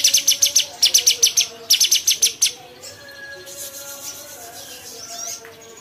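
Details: Bulbul called cucak cungkok opening with fast even strings of sharp high chirps, about eight per burst, followed by quieter soft chatter and faint low tones.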